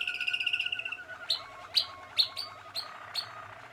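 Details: Young Malinois Waterslager canaries, 2016: fast high pulsed trill opening, followed by a series of sharp chips spaced about half a second apart over soft rolling notes.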